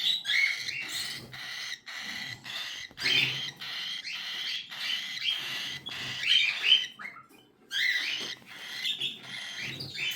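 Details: Cockatiel chicks keep up a continuous chorus of harsh, scratchy, buzzy begging notes in rapid overlapping bursts, with brief gaps around the seventh second.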